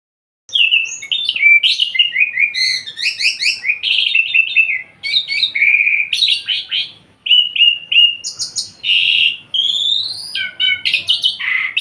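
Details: Javan pied myna, a kept cage bird, singing vigorously: a dense, varied run of whistled slurs, rising and falling notes and harsh buzzy bursts, almost continuous for eleven seconds with only brief pauses. No other sounds intrude.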